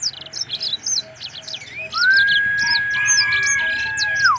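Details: Dense, high chirping and rapid warbled notes from a caged black-throated canary at a bird farm, followed by a long steady whistle held for over two seconds while the twittering continues above it.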